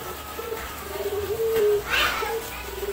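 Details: A Eurasian collared dove calling frequently gives low, soft, hollow, melodious coos, one drawn out and steady, with a brief brighter sound partway through.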